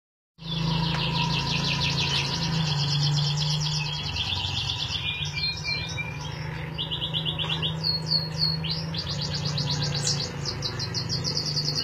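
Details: Lovebird learning its chattering song: long rapid high trills repeated in bursts, with squeaky rising notes between, over a loud steady low mechanical hum throughout.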